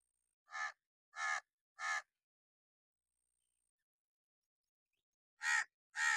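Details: Warning caws from an angry crow: a series of three rough, loud calls, a pause of about three seconds, then two more harsh caws.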